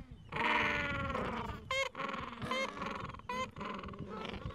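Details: Gentoo penguin breeding colony, Falkland Islands, adults with chicks two to three weeks old on a mild afternoon; a long loud braying call is followed by shorter harsh pulsed calls, with other penguins calling around.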